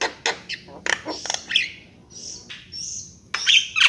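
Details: Javan myna giving scattered harsh squawks and clicks, soft hissing notes in the middle, then loud rasping bursts at the end.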